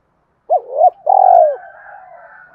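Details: Spotted dove used as a lure bird in Đồng Nai, Vietnam: a short hoot and a slightly longer coo, then one long vibrating coo falling in pitch, trailing into faint low murmuring.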